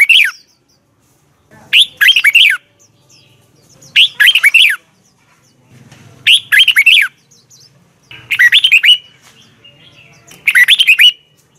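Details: Red-whiskered bulbul morning training song in the double twisted voice style: six bright, rollicking warbled phrases, each under a second long, repeated about every two seconds with quiet gaps between.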